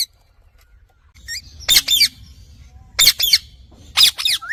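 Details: Pet Indian ringneck parrot, a talking bird, calling in three bursts of shrill, raspy squawks with wavering overtones, about one second apart, over faint low background rumble.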